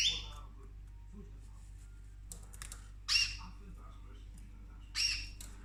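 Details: Female cockatoo kept as a pet, busy eating orchids indoors: a clipped squawk at the start, then light clicking and tapping, followed by two more grating, ringing squawks about two seconds apart.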